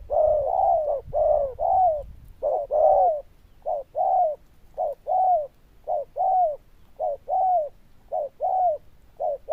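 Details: Zebra dove of the loud bell-voiced 'đồng chuông' type gives a long run of paired coos, a short note and a longer arched one, repeated steadily about once a second, opening with some low rumble.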